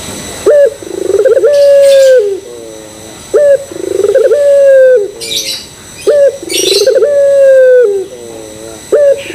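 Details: Repeated Barbary dove coos played to provoke other doves: abrupt rising onset, long flat tone, soft descending tail. Regular phrases about three seconds apart, with scratchy high bursts between some of them.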